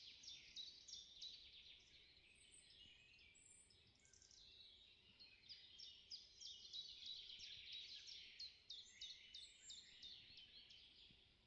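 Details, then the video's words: Forest birdsong at dawn: several distant birds sing high, rapid, repeated notes and thin twittering trills over a soft, steady hiss of background noise. "Пение птиц на рассвете в лесу"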